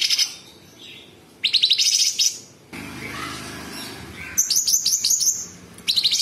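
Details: Sooty-headed bulbul giving rough, rattling high trills of tightly packed chips, interrupted by a stretch of broad noise, then a fast series of sharp repeated high notes and another scratchy burst.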